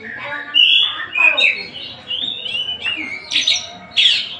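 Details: Tasik oriental magpie-robin mixing clear whistled phrases and slurred notes with several loud, harsh buzzy bursts toward the end.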